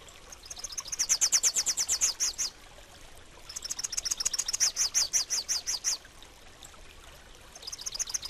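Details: Rufous-capped warbler singing. Two bursts of rapid, high, evenly repeated chipping notes, each about a second and a half long, with a pause between them and the start of a third burst at the end.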